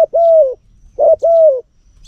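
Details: Spotted dove kept as a luring decoy in Cambodia giving two clean coo phrases, each a short clipped note and then a long, smooth, slowly falling coo, in quiet surroundings.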